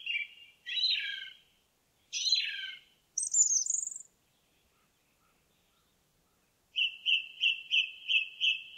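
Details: Song of an indigo bunting in woodland: strong downward-slurred double notes, a very high rising whistle, a pause, then an evenly spaced run of about seven short clipped notes at one pitch.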